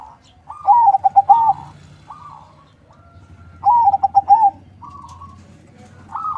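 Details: Captive-bred zebra dove sings two soft, ringing cooing phrases about three seconds apart, each a quick stutter of staccato notes, over a faint low hum.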